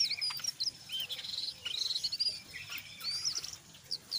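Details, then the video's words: Brown jongkangan chatter, ngeriwik mixed with ngeplong, meant to prompt other jongkangan to join in: a stream of thin high whistles, slurred squeaks and clipped twitters with brief pauses. "SUARA BURUNG JONGKANGAN COKLAT NGERIWIK GACOR"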